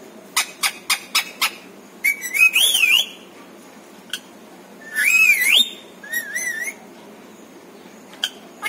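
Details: Pet talking parrot at home; a quick series of clicks, then high wavering whistles and a rising whistled note, followed by scattered ticks in a quiet room.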